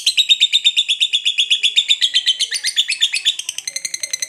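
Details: Lovebird in full ngekek panjang: a fast, high, rattling chatter of evenly spaced squeaky notes. It changes tone partway through and speeds into a thinner, higher trill near the end.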